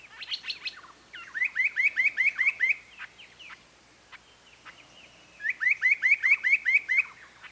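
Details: Spot-breasted parrotbill repeating fast bursts of seven or eight ringing, upswept notes, with two bursts separated by a few seconds of scattered softer chips. It opens with a cluster of quick descending notes.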